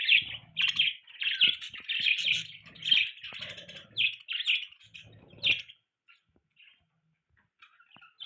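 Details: Budgies chirping in a steady stream of bright, scratchy warbling notes for about five seconds, then falling quiet with a few faint chirps; low humming sounds appear beneath the warble.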